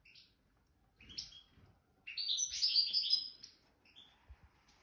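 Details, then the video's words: Nest-raised goldfinch, jadr al-salaka line, widani song: a few scattered chirps lead into one dense second-long burst of tinkling, buzzy twittering, then quiet with faint low knocks. "تغريد ويداني خلوي ولد الوكر (جدر السلاكة)"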